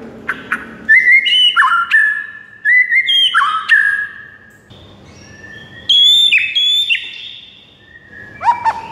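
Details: White-rumped shama song intended to make a silent bird sing: repeated clear whistled phrases that step down in pitch, a brief pause, then higher whistles and a final falling note.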